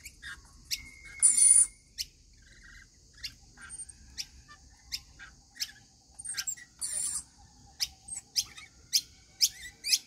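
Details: Rainbow lorikeets at a daily feeding give shrill, high screeches and sharp chips about twice a second, with two louder rasping bursts. A thin steady whistle also sounds briefly.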